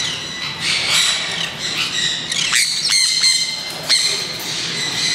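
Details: Green-cheeked parakeets released for the first time into an open aviary zone at a bird park in Kakegawa, Japan; harsh, scratchy squawks repeated in bursts, several birds calling over a steady low hum.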